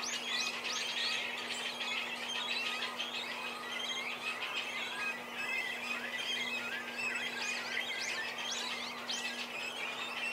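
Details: Young cormorants at the nest as parents bring food, one adult leaving as the other takes its place. Constant shrill squealing from the chicks, with many rapid overlapping upslurred squeaks and a steady low electrical-sounding hum beneath.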